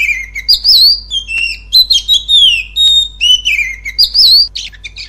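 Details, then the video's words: Clear, very loud Oriental magpie-robin song, a lure for a kept bird: rich whistled notes gliding up and down, some warbled, in sweet phrases separated by brief gaps, over a faint steady hum. "Pancingan kacer agar mental kacer semakin lantang"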